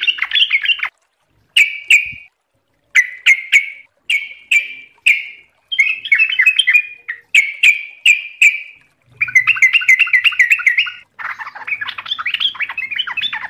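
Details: Trucukan (yellow-vented bulbul) singing in fast 'ropel' style: many short, bubbly whistled phrases in quick succession, some sharply clipped, leading into a long rapid chattering warble near the end.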